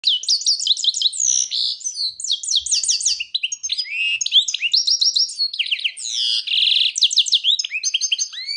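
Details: A European goldfinch (Carduelis carduelis) sings a fast, unbroken run of tinkling, twittering notes, with liquid slurs and a brief buzzy trill partway through; no other sounds.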